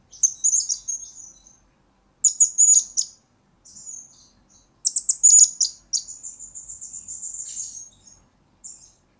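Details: Blue-crowned hanging parrot singing, recorded as a lure and master song for training birds: thin, shrill, very high twittering bursts, some long buzzy trills, in several phrases separated by short silences.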